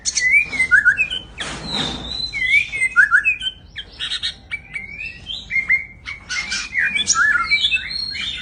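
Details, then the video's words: White-rumped shama, a large 'big jumbo' bird, singing a rich varied song of clear rising and falling whistles, quick trills and harsh chattering notes in close succession, with a brief noisy burst near two seconds. "Riwik.an murai batu big jumbo"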